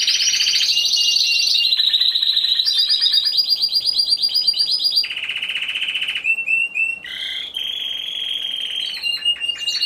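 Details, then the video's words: Contest Timbrado Español canary, a single male entrant in class C2 of a November 2015 song show. Ten seconds of continuous metallic rolls shift step by step between high and lower pitches, ending in clipped, bell-like repeated notes. "Καναρινιών Φωνής Timbrado Español"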